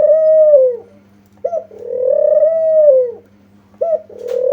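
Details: Lure recording of a spotted dove calling steadily, meant to draw replies. Sustained, gently arching coos alternate with short clipped notes, roughly three phrases in under five seconds, over a faint hum.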